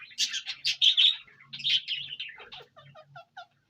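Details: An Indian ringneck parakeet in Punjab, Pakistan gives a rapid run of harsh, high squawks and chatter, then a few softer descending chirps at the end.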